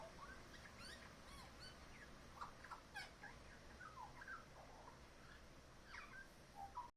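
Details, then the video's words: Back-yard magpie mimicking other local birds: quick slurred whistles, chirps and rising notes scattered irregularly through seven seconds, some higher clicks among them, over constant low rumble. "magpie mimicking other birds"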